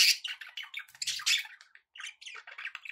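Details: Dense budgie chatter: overlapping scratchy chirps, squeaks and buzzy warbling notes in a continuous flow.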